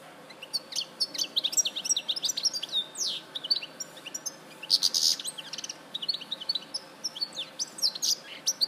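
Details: Goldfinch recorded in Larache in 2014, pouring out a dense, high twittering song of rapid chirps, buzzy notes and liquid trills, almost without a break.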